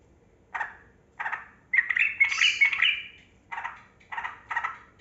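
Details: Yellow-vented bulbul (trucukan) song lure meant to get reluctant caged birds singing. Separate throaty chirps about every half second, interrupted by one longer, bright bubbling phrase in the middle.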